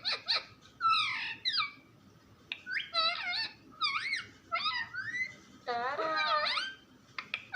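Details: Nonstop parrot talk: rapid, speech-like, sharply bending harmonic syllables in quick bursts separated by short gaps, ending in a longer rasping phrase, quiet indoor background.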